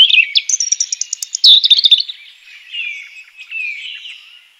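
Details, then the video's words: Wild European robin delivering a rapid run of thin, sharp high notes for two seconds, followed by softer, lower descending slurred whistles that fade away. "european robin chirping in the wild"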